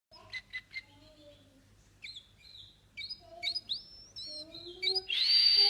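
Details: Canary singing: scattered clear whistled notes and short trills at varied pitches, building toward a loud, buzzy rattling phrase at the end, in a quiet room.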